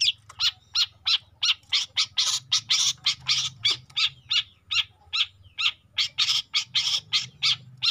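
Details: Long-tailed shrike juvenile in lively song: rapid, harsh, rasping notes, nearly three a second, delivered in a continuous chattering stream with some notes richer and noisier than others.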